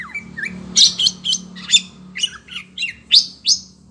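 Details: Kacer (Oriental magpie-robin) in captivity, stirred up by other birds calling, utters a series of loud, sharp, harsh chips and squeaky whistled notes roughly every third of a second, with a steady low hum behind.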